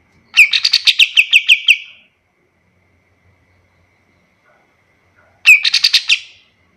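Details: Kapas tembak singing a master song meant for tutoring other birds: a two-second burst of rapid, buzzy, ringing notes, a long silence, then a second shorter burst of the same fast chatter.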